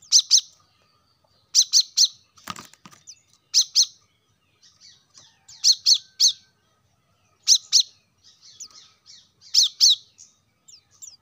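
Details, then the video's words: Plain-throated sunbird (kolibri kelapa) lure recording for caged birds: high, sharp chirps in pairs and triplets separated by pauses, with faint twittering between and a brief rattling noise near the start. "kolibri kelapa | wiceh | manggar | cuitan korlap gacor untuk burung agar cepat rajin bunyi gacor"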